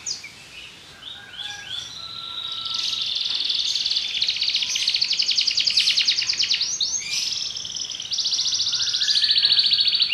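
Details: Belgian canary song starting softly with scattered notes, building into a long rapid rattling trill that grows steadily louder, with a higher continuous roll near the end.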